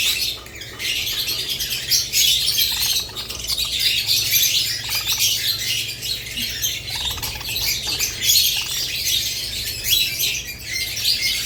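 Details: Budgerigars with lovebirds give a steady, dense chorus of high chirps, squeaks and warbled twitters, loudest in repeated short bursts, with no other sounds.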